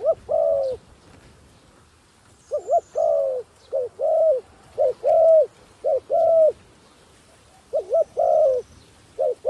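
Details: Caged decoy dove in Cambodia calling to lure wild doves down; low hooting coos in short paired and rising-falling phrases, repeated roughly every second in bursts, with quiet gaps between.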